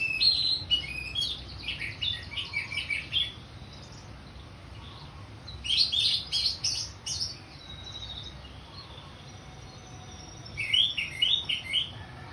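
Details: Orange-headed thrush in full ngeplong song: three rapid, dense phrases of high chirps and whistled trills, each lasting one to two seconds and separated by several seconds of near quiet.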